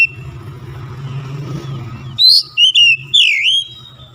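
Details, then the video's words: Oriental magpie-robin singing as a fast lure meant to set other birds singing: low rumbling background for two seconds, then loud clear whistled notes and a slurred whistle that dips and rises, with bright high overtones. "TEMBAK SUARA KACER LANGSUNG GACOR"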